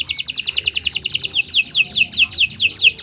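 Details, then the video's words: Canary morning song for training other birds: quick repeated chirping notes, then slower slurred descending whistles about three per second. "Kicau Burung Kenari 179 II LUAR BIASA GACOR PANJANG Cocok untuk Masteran"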